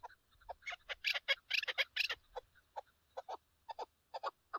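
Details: Chukar partridge calling on a partridge hunt: a dense, excited burst of harsh chattering notes that loosens into scattered single 'chuk' calls with short gaps, clear against near silence.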